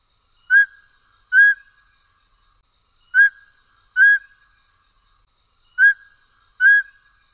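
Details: Mountain scops owl (Otus spilocephalus hambroecki, the Taiwan form) giving clear, mellow whistled toot-toot notes in pairs, each pair about every two and a half seconds, in quiet night air; call.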